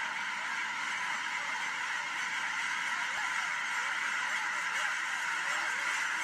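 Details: Dense wall of overlapping honking as geese take off at William L Finley National Wildlife Refuge, many birds calling at once with no pause, steady loudness from start to end.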